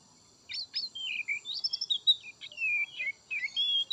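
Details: Softer White-rumped shama song of sliding whistles and short chirps, over a steady high-pitched ringing background tone.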